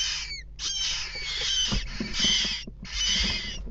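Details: Jackdaw chicks in a nest box begging as both parents feed them, 7 pm on 3 May 2017; loud rasping, hissing bursts with thin whistled overtones, pausing briefly twice, over bumps and scuffles.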